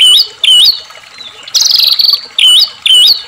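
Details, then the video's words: White-rumped shama (murai batu) singing as a provocation for captive birds: loud, high, twisting whistled phrases repeated with short gaps, broken by a buzzy, harsh high note in the middle. "murai batu gacor AMPUH buat PANCINGAN murai agar RAJIN bunyi JADIKAN murai gacor EMOSI ngeplong"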